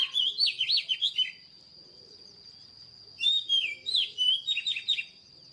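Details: Recently caught wild white-rumped shama: a quick warbled phrase, nearly two seconds of quiet with only a thin high tone, then another burst of whistled, tumbling notes.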